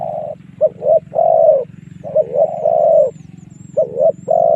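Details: Spotted dove lure calls used to draw wild doves in to fight: low hollow coos in short clipped notes and longer drawn-out phrases, in uneven bursts over a steady low hum.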